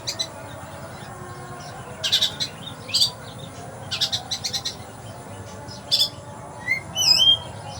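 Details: Kept oriental magpie-robin singing in sparrow style: bursts of sharp, dry, sparrow-like chirps in quick clusters separated by short pauses, ending with a few clear, wavering whistled notes.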